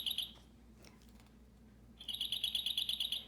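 A dark-eyed junco gives a short burst of high notes, then after a pause a quick, even trill of about ten bright chips in just over a second.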